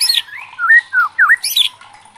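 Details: Agitated white-rumped shama giving a few loud slurred whistles that rise and fall, with sharp high notes at the start and near the end.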